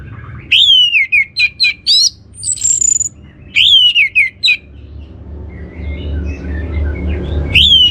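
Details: Orange-headed thrush song to prompt other birds to sing: two bursts of loud whistled phrases with slurred drops and rising chips, one with a thin high whistle, then quieter low noise before a final whistle.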